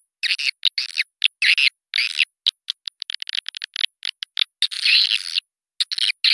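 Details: Swiftlet lure call meant to draw swiftlets to a nesting house, a playback made for calling contests and flyways: clusters of harsh buzzy twitters, broken by brief silences and quick clicking runs.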